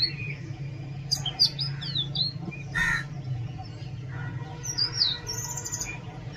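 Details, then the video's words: Oriental magpie-robin song of scattered whistled phrases, one short harsh buzzy note midway and bright, high sliding whistles toward the end, with a constant low background hum. "Oriental magpie robin Song"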